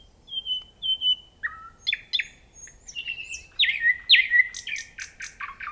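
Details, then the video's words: Nightingale in full song, starting with clear level whistled notes, moving into sharp chipping notes and rising slurs, then loud sweeping downslurs and rapid dry rattles toward the end, varied phrases with no other clear sounds. "Nightingale Sound and Nature Beauty Psychological Comfort"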